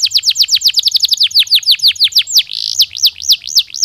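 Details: Singing canary, natural song for getting birds ready to breed: swift down-slurred notes in a rolling stream, a brief harsh buzzy burst, then slower rhythmic looping whistles about four per second.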